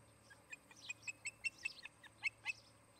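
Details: Osprey pair at their nest near Charlo, Montana, on a nest camera, 17 August 2018: irregular sharp high chirps, some with clear whistled peaks, scattered over three seconds against a faint steady hum.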